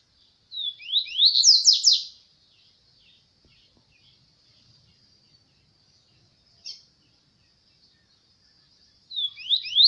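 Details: Double-collared seedeater (papa-capim) in Brazil whose owner is unsure of its song type sings quick two-second bursts of high, rapid slurred sweeps, then a lone chip, then the phrase again, over a thin steady high hiss.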